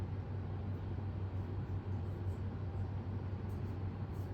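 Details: A low, continuous motor hum with faint traffic-like rumble runs throughout, and no animal sound is present.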